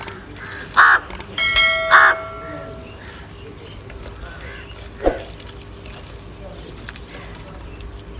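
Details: Crows fighting and calling for food: two loud, harsh caws close together, a stretched nasal call with ringing overtones between them, then a short sharp note a few seconds later, over low background hum.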